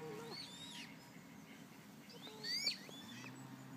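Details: Eurasian coot chicks accompanied by parents give sharp, high, rising-then-falling peeps in short clusters, set against a low background hum.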